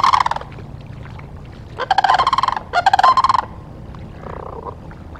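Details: Ospreys at a nest in Charlo, Montana, on 17 October 2023, filmed by a live nest camera; short bursts of rapid, harmonic chirping notes, with three separate bursts spread over five seconds and a faint fourth at the end.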